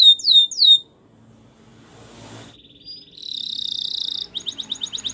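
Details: Belgian canary training song: three quick descending whistled slurs, a pause with faint low room noise, then a sustained high buzzy trill breaking into rapid clipped repeated notes.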